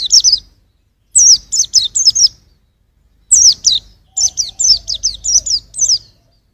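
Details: White-eye song used as a model for songbirds: energetic runs of high, thin, falling whistled notes in bursts of four to eight, with one long rapid sequence near the end.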